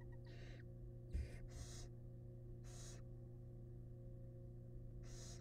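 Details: Wild barn owl nest box during a large rat delivery by the father: several breathy hissing screeches, one quick pair followed by longer gaps, with a soft knock and a low hum throughout.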